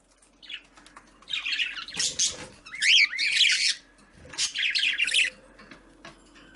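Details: Budgerigars in a breeding colony giving loud harsh squawks and chattering warbles in three bursts separated by short pauses, with low thumps and a faint steady hum beneath.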